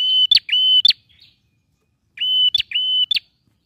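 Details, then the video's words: Singing male bar-winged prinia, meant to trigger song in a silent bird: two paired phrases, each a pair of steady high whistles broken by loud clicks, then a short pause. "PRENJAK JANTAN GACOR"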